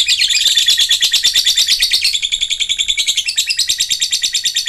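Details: Long ngekek from a lovebird: a continuous high-pitched, fast stuttering trill of tightly repeated chirps, pulsing evenly without pause, played as a lure to get a lovebird that has stopped singing to ngekek again.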